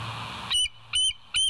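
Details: Bald eagles at the West End nest, filmed by a live nature cam on 7 July 2023 at 06:21 in the morning: three sharp, high, clipped notes in quick succession over a low steady hum.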